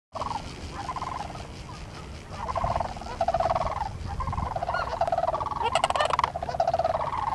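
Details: A flock of Sandhill Cranes (Antigone canadensis) in the Sacramento Valley gives loud, rolling, trumpeting rattles that overlap steadily, with a low rumble of background noise.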